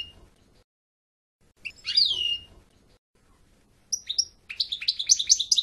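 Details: European goldfinch singing: a bright, slurred descending whistle, a pause, then quick high tinkling phrases that build into rapid twittering bursts near the end, with a quiet background.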